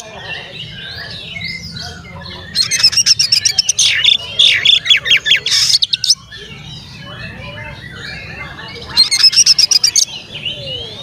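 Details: Oriental magpie-robin in full song, used to provoke other magpie-robins into agitation and tail-spreading: two bursts of rapid, harsh, buzzy high notes, densely repeated, over a soft background of faint chirps from other birds.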